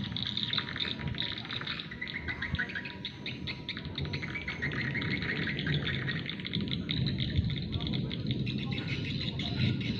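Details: Swiftlets behind a house on an overcast day without rain, giving a dense, continuous stream of high, fast chirps and twitters with a faint steady tone and low rumbling background.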